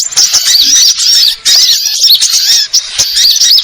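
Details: Sunbird, known locally in Indonesia as burung ribut, giving rapid thin high chirps and twittering notes that overlap into a dense chatter, broken by brief pauses about every second.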